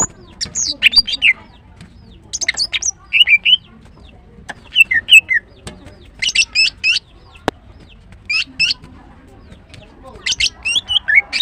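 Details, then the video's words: Morning song of a female greater green leafbird, repeated bursts of sharp high chirps and slurred notes every one to two seconds throughout. "The female Green Cucak bird is chirping well, GREATER GREEN LEARBIRD"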